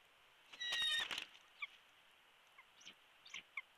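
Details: Bald eagle at its nest in Big Bear Valley, filmed by a live nest camera on 21 March 2022 around 12:45, with a chick hatched that month; a brief high, thin, tonal chittering burst, then soft scattered chirps against steady hiss.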